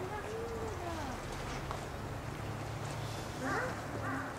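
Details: Captive Chilean flamingo chick at Maruyama Zoo, hatched 7 October 2015 and recorded three days later on 10 October 2015: faint thin whistled calls, one drawn-out note early, then a cluster of higher rising peeps near the end, over a constant low hum.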